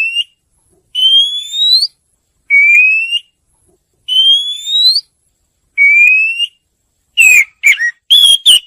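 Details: Oriental magpie-robin song for luring birds: five long, pure rising whistles alternating slightly higher and lower, spaced about every one and a half seconds, ending in a burst of fast, warbling, swooping notes. No other sounds.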